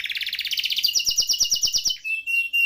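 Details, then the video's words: Canary delivering a buzzy rolling trill that slides upward into a sharp rapid clicking trill, ending on a clear sustained whistled note. "Kenari Gacor Ngeroll Isian Masteran atau Pancingan Kenari Riwikan atau Kenari yang Macet Bunyi"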